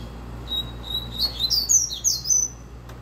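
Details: Double-collared seedeater kept in captivity sings its rapid tui tui zeu song: two clear level whistles, then a tumbling run of bright high slurred notes rising and dipping, ending in a long descending whistle. Faint background hum.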